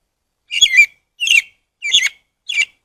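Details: Rufous-bellied thrush (sabiá-coleira) delivering four short, rich, buzzy-warbled notes spaced about two-thirds of a second apart, with a quiet background.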